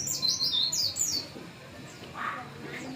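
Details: White-eye beginning to deliver its song material: a burst of rapid, high, thin twittering notes lasting about a second, then a quieter stretch with a few softer, lower chirps over faint background noise.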